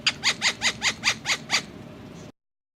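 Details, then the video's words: Ring-necked parakeet kept for talking in Hindi gives seven harsh, evenly spaced squawks about every fifth of a second, then stops abruptly. "Ringneck Parrot Speaking In Hindi"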